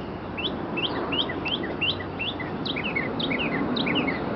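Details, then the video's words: Bird singing at close range on an April morning walk through a neighborhood in Arlington, Virginia, 2011: a steady series of quick, high rising-and-falling chirps, often paired, repeated about three times per second over low background hum. "Bird Singing for me"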